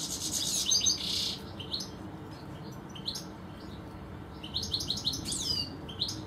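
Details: European goldfinches in a garden, two birds present; high, tinkling twittering phrases of quick repeated notes and short buzzy trills in bursts, over a steady low background hum.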